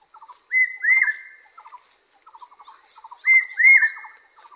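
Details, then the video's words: Barbets singing seasonally: pairs of loud, clear whistled notes alternate with short runs of lower stuttering chatter, the phrase returning about every three seconds. "The great small Barbets sing"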